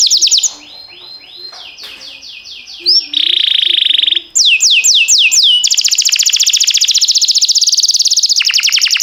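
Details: Singing canary recorded for training canaries: varied phrases of soft rising whistles, a flat buzzing trill, bright downslurred notes repeated about four times a second, then a long, dense, rapid high roll.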